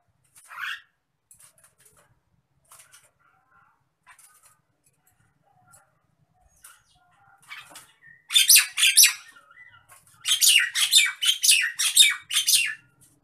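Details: Agitated Nias hill myna: after scattered faint clicks and a single early screech, it bursts into a fast series of loud, raspy, rhythmic squawks, roughly two per second, in two bouts.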